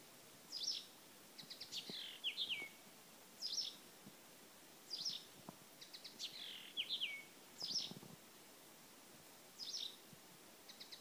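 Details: Blyth's reed warbler singing at Lindö udde: short, high, chattering phrases with buzzy slurred notes, each phrase repeated after pauses of about one to two seconds. Faint, distant recording over a steady background hiss.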